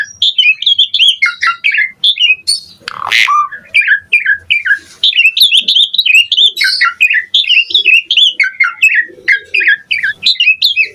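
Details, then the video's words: Asian pied starling singing a lively, pumping song packed with varied notes. Continuous stream of quick chirps, squeaks and short whistles, broken briefly by one harsh burst near the three-second mark. "Pancingan Jalak Suren Gacor Mompa Variasi Mewah / Masteran Suara Burung Jalak Agar Gacor Full Isian"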